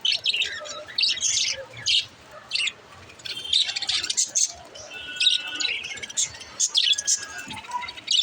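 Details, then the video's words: Budgerigars chirping, intended to encourage lonely budgies to chirp; scattered high chirps and warbles in bursts, with quieter gaps and a few thin whistled tones. "Help lonely budgies to chirp"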